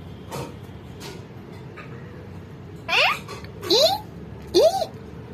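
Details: A male pet Indian ringneck parakeet talking to a person speaks three quick, raspy, upward-swooping words in under two seconds, over quiet room noise with a few soft knocks before.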